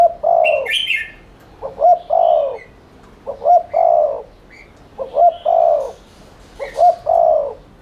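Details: Lure recording of a spotted dove giving fast 'thúc liên thanh' coos to prompt cooing. Five phrases about every 1.6 seconds, each two quick hoots and a drawn-out falling croo. Light bird chirps sound above.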